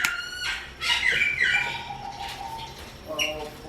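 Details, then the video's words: Long-tailed shrike singing, recorded as training audio (masteran) for other songbirds. Its harsh, scratchy notes with rich overtones come in quick bursts and are mixed with a longer, lower drawn-out tone. "KICAUAN BURUNG CENDET"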